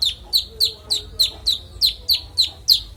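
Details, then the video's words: Konin, a songbird kept as training audio for other songbirds, singing its full repertoire clearly: a steady run of about ten sharp, high, downslurred chirps spaced roughly a third of a second apart, with a faint low hum underneath. "Konin bongkar isian suara jernih"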